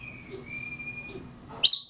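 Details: Pet African grey parrot mimicking mockingbirds, giving a thin steady whistle held for over a second, followed by a sharp high chirp.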